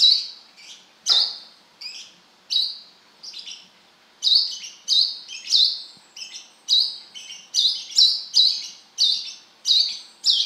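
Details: Kolibri kelapa, the brown-throated sunbird, calling in a lively gacor manner with wiceh notes. Piercing high chips with short trailing buzzes come in quick irregular bursts, several per second, in a quiet background.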